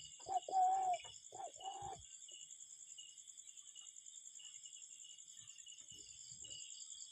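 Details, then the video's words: Cuckoo in nature giving two quick two-part calls, a short upswept note joined to a longer level one, followed by several seconds of quiet with a thin high background hum. "Relaxing Cuckoo Bird Sound in Nature"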